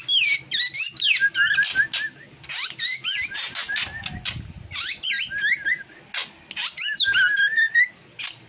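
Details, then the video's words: Drongo singing an unusual song: a fast, varied string of whistled notes that swoop up and down, some mixed with chattering bursts and brief pauses between phrases. "Kicauan Aneh Burung Srigunting Yang Tak Seperti Biasanya"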